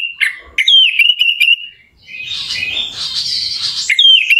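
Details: Orange-headed thrush singing, used as a lure to rouse another bird's emotion: a quick series of clear whistled notes, then a long scratchy, buzzy warble ending in a bright rising whistle.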